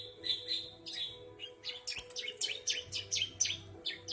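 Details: Bar-winged prinia aged three months, singing mriwik nembak: a few drawn-out buzzy notes, then a quick burst of steep, sweeping chirps repeated irregularly at a lively pace.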